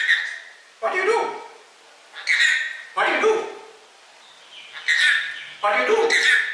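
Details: Pet rainbow lorikeet talking, asking its owner what he was doing when he tries to leave: harsh, raspy, speech-like phrases in quick pairs, each burst about half a second, repeated several times with short pauses.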